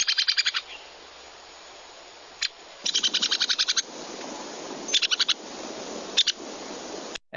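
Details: A Ladder-backed Woodpecker in the Texas Hill Country gives high, sharp pic contact calls and quick rattling whinnies of about eight notes, the whinny used when disturbed or seeking attention, in several bursts over a soft steady hiss.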